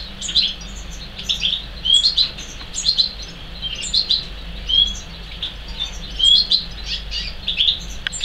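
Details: Two young European serin × serin hybrid chicks (R3, from an R2 male and a female serin) give thin, high chirps and short twittering bursts, repeated several times a second in overlapping runs, over a faint low hum.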